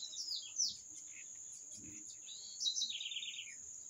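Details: Singing bird giving a quick bright chirp, a pause, then a longer descending warbled phrase, all set against a steady piercing high hum and soft low noise.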